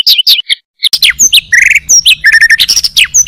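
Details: Oriental magpie-robin entered in song contests, producing a jumbled medley of quick whistles, chips and buzzy slurred notes in short broken phrases, the kind of fill-in material competitors showcase.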